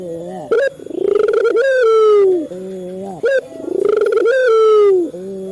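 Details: Lure recording of a male local Barbary dove meant to set captive doves calling: two long, low, bowed coos, each opening with a brief clipped note and closing in a softer throaty tail, repeated about every three seconds.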